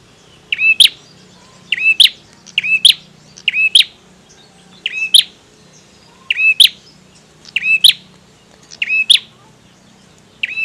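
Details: Male bar-winged prinia singing vigorously: sharp, high chirped phrases, each a quick cluster of bright notes ending in an emphatic accent, repeated roughly once a second with short silent gaps over a quiet background.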